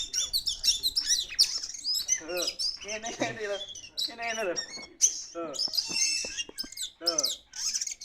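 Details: Kacer poci magpie-robin in full, vigorous song after release: dense bursts of high whistles, harsh rasping notes and rapid chatters that tumble quickly one after another.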